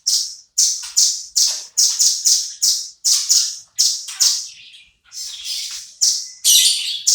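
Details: Velvet-fronted nuthatch singing in full voice, a song kept as tutor material for shamas: high, sharp trills repeated in quick bursts about every half second, with a brief pause midway and a harsher rattling burst near the end.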